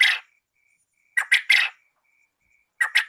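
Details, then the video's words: Male and female quail calls used for trap luring: rough, scratchy double and triple notes in quick clusters, separated by short pauses, over a thin constant whine. "SUARA BURUNG PUYUH JANTAN & BETINA"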